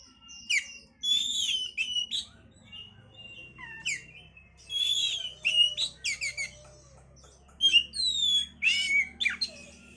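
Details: Oriental magpie-robin (kacer) song played as a lure to stimulate breeding condition; loud, varied whistled phrases with slurred rising and falling notes and sharp chirps, delivered in bursts separated by brief pauses over a faint low hum.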